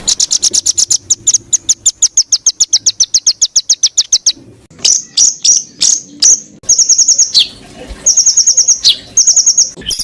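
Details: High-pitched bird song for songbird training: a long series of evenly spaced thin, piercing chips, then separate squeaky, whistled notes with downward slurs and short ringing trills.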